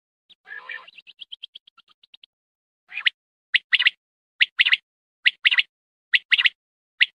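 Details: Quail calls used for hunting, at night: a rough rasp and a run of quick, fading ticks, then sharp, high, clipped notes in pairs and triplets, a group about every second.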